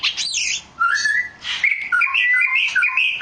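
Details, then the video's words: Oriental magpie-robin with varied loud song: a high swooping phrase, a short pause, then a series of clear whistled notes jumping between pitches in quick succession. "Burung kacer"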